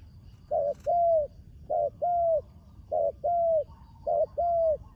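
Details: Four regular two-note coos from a young spotted dove trained for competition, on the ground for the first time; a short opening note leads into a longer, gently falling one, with a brief click at the start.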